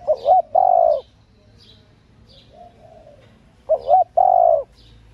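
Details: Spotted dove hen calling to excite male doves. Two quick wavering notes lead into a drawn-out mellow coo. A soft, quieter coo sits in the gap before the phrase repeats, with faint high twitters throughout.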